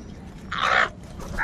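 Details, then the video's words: Crow from a large gathering of crows, giving a single harsh, raspy caw lasting under half a second, with a fainter answering call starting at the end over low background rumble. "Huge numbers of crows crowing and crying sounds | কাকের ডাক Crow Sound Crow ki Awaz"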